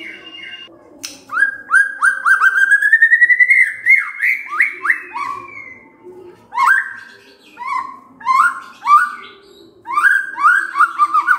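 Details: White-rumped shama (murai batu) used as a lure to make birds sing their full repertoire. A rapid rising series of chopped notes climbs steadily, then breaks into separate bursts of fast descending warbles with sharp clicks.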